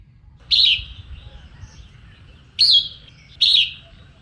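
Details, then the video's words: Female red-whiskered bulbul singing to stir up males: three loud, bright warbled phrases, each sliding down slightly, about two seconds then under a second apart, over faint low background hum. "Chim Chào Mào Mái Hót Kích Trống"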